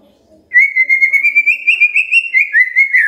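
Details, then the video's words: Captive-style murai song used as a lure to prompt a quiet bird to sing: after a brief hush, a bright, steady whistled trill of rapid pulsed notes, about ten per second, holds an even pitch for over two seconds, with no other clear sounds. "Pancingan Murai DIAM Agar Rajin Bunyi"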